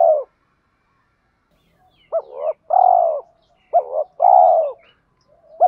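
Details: Spotted dove cooing used by keepers to stimulate trained birds, including male and female voices; paired short coos then a long descending coo, repeated twice with brief pauses.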